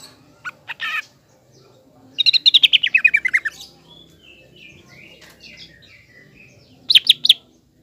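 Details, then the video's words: Green leafbird, a vocal singer used to provoke another leafbird into a fighting mood: a fast descending series of sharp chirps, then a brief bright rattle of high notes, with short chips before and faint background hum. "CUCAK IJO GACOR MEMANCING CUCAK IJO TROTOL AGAR EMOSI DAN PANAS"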